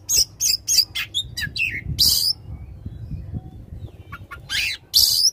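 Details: Oriental magpie-robin in loud song meant to prompt a silent magpie-robin into singing: short harsh buzzy bursts, a few rising notes, then gaps and a final rasping burst.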